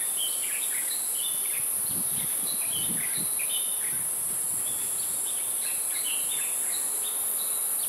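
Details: Two young crested goshawks, recently fledged, at National Taiwan University on 29 May 2019 give short, high whistled notes in loose repeated bursts, over a steady high hiss of insects.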